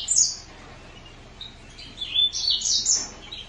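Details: Green singer finch giving scattered high chirps and short sweeping notes, with a burst of rapid twittering near the end.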